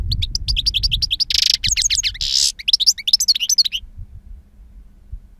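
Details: A two-year-old European goldfinch singing in the wild-song style, noted for powerful timbre and long calls: rapid twittering notes mixed with buzzy rasping bursts. The song stops after about four seconds, leaving a faint low hum.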